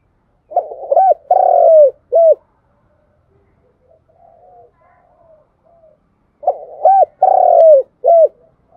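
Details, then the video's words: Cooing of a spotted dove, rapid 'thúc gù' and calling coos used to train decoy birds for trapping. Two low, rounded three-note phrases with a drawn-out central coo are separated by a quiet stretch of faint soft murmurs. "Tiếng chim cu gáy thúc gù và gáy gọi hay nhất"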